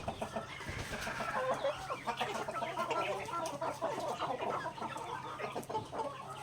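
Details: Native backyard chickens feeding on grains, a thick chorus of rapid overlapping clucks and short chirps from the flock, with a steady low hum.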